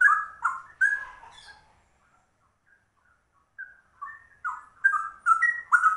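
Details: Straw-headed bulbul in rapid ropel-style song: loud, mellow gurgling phrases that fade into quiet notes, then build again into quick bubbling, slightly rising whistled warbles.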